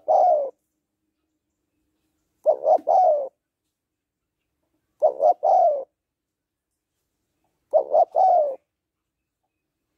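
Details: Female spotted dove calling to excite a male: three-part coos, two short notes then a longer falling one, repeated about every two and a half seconds, in quiet surroundings.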